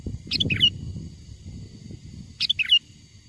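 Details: Wild sooty-headed bulbul in lively song, used as a lure to draw other wild bulbuls closer: two short, bubbly, whistled phrases of quick rising and falling notes about two seconds apart, over a low rumbling background.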